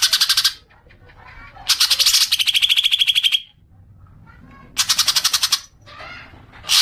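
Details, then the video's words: Green magpie lure sound for triggering long chattering: three bursts of rapid, grating chatter with silent gaps, the middle one longest and shifting to a lower, more even rattle. "Pancingan suara cuca ijo agar cepat ngekek panjang"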